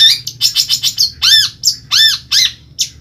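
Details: Kept long-tailed shrike from Ampelgading, Pemalang, Central Java, Indonesia, giving loud harsh arched notes, a burst of quick buzzy chatter, then several ringing downward-curved squawks with short pauses between them.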